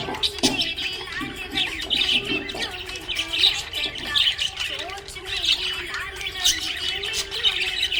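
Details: Happy budgerigar chirping busily, a dense stream of warbled, chattering notes mixed with short squawks and buzzy tones, steady and unbroken throughout.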